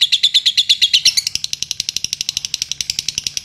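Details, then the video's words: Champion latah-style contest lovebird singing: about a second of clear whistled notes, then fast, even chattering of bright high chirps, many per second, with soft faint ticks behind. "Lovebird latah juara"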